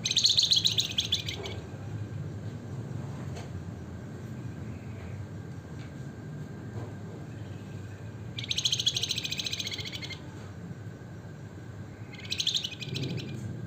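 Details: Javan fulvetta (flamboyan, wergan jawa) singing gacor style: a short high trill at the start, then a long quiet gap before two more fast buzzy trilled bursts, all fairly soft over persistent low rumbling hum.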